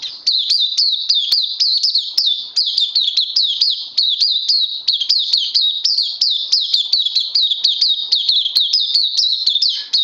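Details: Oriental white-eye kept as a pet songbird, 31 May 2020, day two on supplements: ten seconds of continuous, shrill, evenly paced chirps sliding downward, a few faint clicks in the background.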